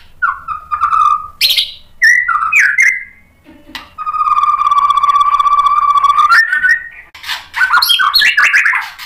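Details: A white-rumped shama, roused by a rival, sings varied twisting whistles and then a long, even whistle held for about two seconds. A busy tumble of rising and falling phrases follows.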